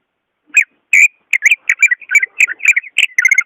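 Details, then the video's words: Loud, ringing greater green leafbird song for prompting a caged bird that rarely sings: two strong separated notes, then a tumbling burst of rich, overlapping whistles and warbles packed closely together. "SUARA ASLI BURUNG CUCAK IJO"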